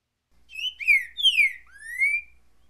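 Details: A single currucutil boi phrase from a green-winged saltator: clear whistles opening with a short level note, then two falling slurs and a long upward-sweeping final whistle, with no other sounds.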